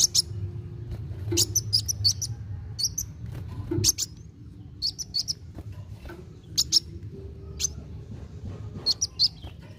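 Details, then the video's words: Kolibri wulung sunbird in rousing song meant to stimulate young birds, here sparse: scattered clusters of high, sharp chips spaced by pauses of one to two seconds, with a low background hum. "KOLIBRI WULUNG GACOR NARUNG CEPAT MERANGSANG BUNYI BURUNG BAKALAN"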